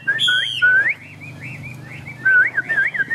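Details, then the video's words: Chinese hwamei kept in a cage during rain, giving loud, fluid whistled phrases that wave up and down, with a quieter rolling passage between bursts. "Họa mi xòe, Thuần đẹp mau mỏ hót hay"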